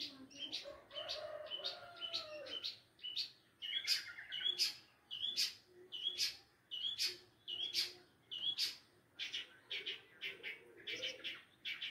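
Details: Long-tailed shrike in full, versatile song: harsh, buzzy high notes repeated a little faster than once a second, opening with lower warbled tones in the first few seconds.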